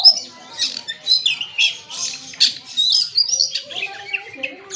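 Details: Magpie-robin (kacer) unloading its 'isian' song: dense, scratchy, rapidly shifting high chirps and short whistles in quick succession, a few lower notes beneath, with other birds audible in the mix.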